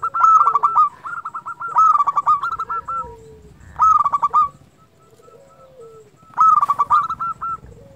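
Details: Zebra dove of local stock in full song, used as a lure to provoke singing: four bursts of rapid bubbling coo notes, each closing with clipped hooks, separated by brief quiet gaps.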